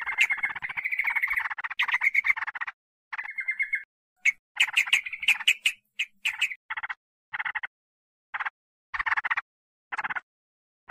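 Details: Sooty-headed bulbul lure sound used to attract wild birds: bursts of chattering, bubbly notes around the mid-high range in irregular phrases, with short gaps between bursts.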